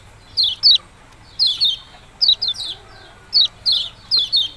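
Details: Yellow-bellied prinia calling "ciak-ciak jos": crisp descending chirps in twos and threes, about one group per second, over a quiet background hiss.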